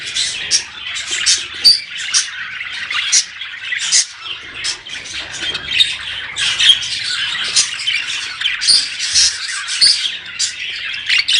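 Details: Budgerigars making breeding-stimulation chatter, a long run of choppy raspy squawks and chirps in quick pulses, several birds calling together with brief dips between bursts.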